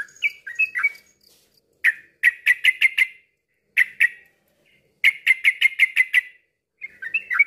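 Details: Yellow-vented bulbul song, used as therapy so silent birds join in rapid ropel singing: bubbly slurred notes near the start, then quick bursts of about six sharp chirps repeated with short pauses.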